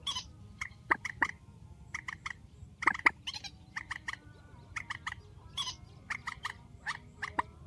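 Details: Grey-headed swamphen giving a strong call, one of a set of night bird sounds: short, harsh, nasal notes in quick pairs and bursts, repeating steadily across the whole stretch over a faint low rumble.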